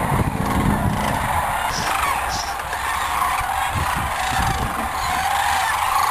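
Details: Several thousand migrating sandhill cranes fly in at sunset from nearby cornfields to roost on the Platte River in Nebraska. Their warbling, bugling calls overlap into a dense, unbroken chorus, with a low rumble underneath.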